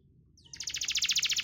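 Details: Canary song used as a lure to prompt canaries that are reluctant to sing: after a short high whistle, a fast, even, pulsing trill of high, bright notes builds and continues steadily.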